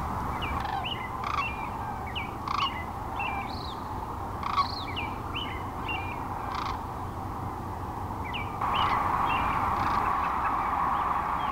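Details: Thousands of sandhill cranes near North Platte, Nebraska, in the early morning of March 25, 2012, taking off from their river roost to feed in nearby fields: a dense chorus of short, rolling trumpeting notes, two or three each second, over rushing background noise.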